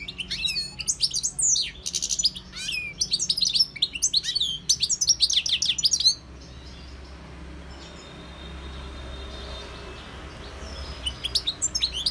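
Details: Wild European goldfinch singing a fast, tinkling twitter of high, sharply rising and falling notes in dense bursts for about six seconds, then near silence with a faint low hum before a few last chirps.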